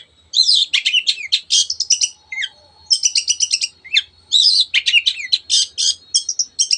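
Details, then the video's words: Long-tailed shrike in excited 'teot teot' singing to stimulate other birds: rapid, dense chattering phrases of scratchy high notes, broken by brief pauses and ending in a few clipped whistles. "cendet gacor teot teot jadikan burung anda cepat emosi dan ikut gacor"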